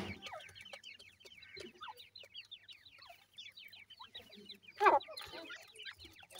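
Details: Grey francolin chicks peep busily as they play, each note short, thin and dropping in pitch, many birds overlapping; one louder, harsher call stands out near the end.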